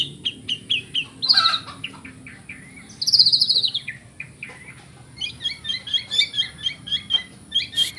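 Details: Song of a white-rumped shama given 'isian kapas tembak' filling: clear whistles, a loud rich warbled burst, then a long series of quick paired chirping notes repeated about every half second, with faint background hum.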